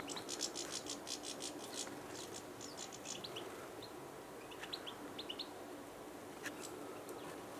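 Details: Eurasian siskins resting in a garden by the water in March, likely pausing on migration toward northern Europe; thin high twittering and short chirps in scattered bursts over steady rushing background noise.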